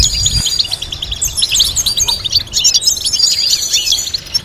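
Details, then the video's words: Captive European goldfinch song meant as a teaching melody: bright, rapid chattering twitter with rising and falling tinkling notes and short buzzy phrases, sustained throughout, a low thud at the start. "Teaching goldfinch to sing complex stimulating melodies"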